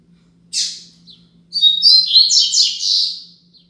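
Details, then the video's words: Double-collared seedeater, Braddock song style used as a tutor song for teaching young birds; a short buzzy high note, then a rapid run of bright chattering, warbled phrases lasting about two seconds, with a faint low hum beneath. "Coleiro Braddock 10 Minutos HD - Coleiro Professor Aprendizado"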